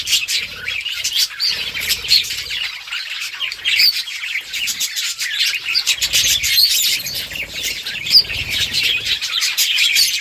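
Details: Budgerigars chirping as they play together, recorded October 30, 2023: unbroken, loud flock chatter of high, rapid squeaks, twitters and harsh squawks, with no pauses.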